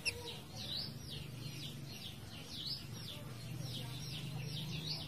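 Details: Forktail song recorded as a tutor track for contest or home songbirds, said to be dense and long; a series of quick, high, swept chirping notes repeated through the passage over a low steady rumble of flowing water.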